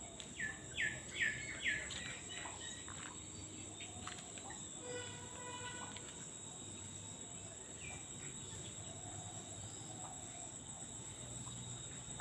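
An Oriental magpie-robin gives a quick burst of bright, sweet whistled notes, then softer scattered phrases, over a steady high insect whine.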